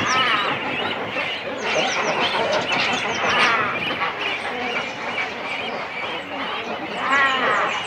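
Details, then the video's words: Cormorant chicks and adults calling at the nest in a breeding colony, close-up: overlapping harsh, ragged calls with stacked harmonic wails that swell at the start and near the end, over a constant colony din. "Cormorant. CU Calls From Chicks And Adults On Nest. Colony Sounds."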